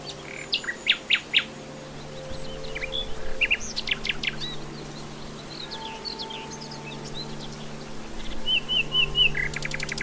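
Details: Common nightingale singing in the wild: scattered bursts of sharp, high chirps and short whistled notes, a pause, then a quick run of four rising slurred notes near the end, over a steady low hum.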